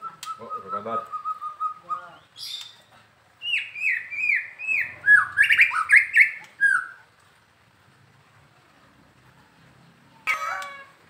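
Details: White-rumped shama from Medan, said to sing often and eagerly: a short steady whistle and chattering notes, then a series of rising, upslurred whistles, a silent pause, and a final burst of calls.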